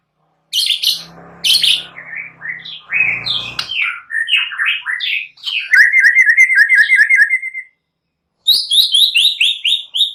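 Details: White-rumped shama in full, lively song used as a lure to provoke other birds to sing: harsh high bursts, then varied whistled notes sliding between mid and high pitch, a fast even trill of repeated notes, and a final high ringing series.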